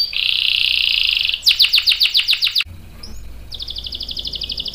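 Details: Long-rolling canary song meant to draw replies: a steady buzzy roll, loud descending sweeps, a short quiet break with a single chirp, then a fast high trill.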